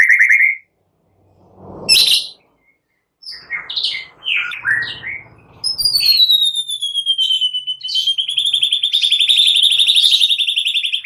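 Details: Lure song of a white-rumped shama, meant to provoke rival singing, said to be full of cililin and prenjak phrases. Short scratchy notes give way to a long, very fast high trill that slowly drops in pitch.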